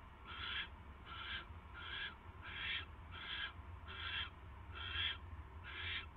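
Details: During a mouse delivery to a barn owl nest at 10:22 PM on 22 January 2016: eight short, breathy hissing bursts about every 0.8 seconds, over a noticeable low-pitched background rumble.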